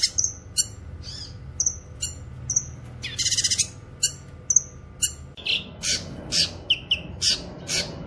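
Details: Cucak kinoy song used for training and luring wild birds: high whistled chips and slurred notes repeated about every half second, one harsh buzzy burst midway, then fuller notes over a noisier background.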